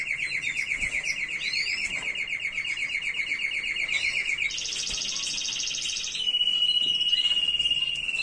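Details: Canary singing a faultless tutor song meant to teach chicks: a chain of fast rolling trills, each tour held a few seconds before switching to a new pitch and rhythm.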